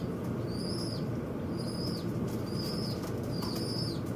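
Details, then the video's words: Birds fighting at a window, described as noisy: four short, high, whistled notes, each slurring downward, repeated about once a second over a steady low rumble, with faint taps. "The birds in the window are fighting"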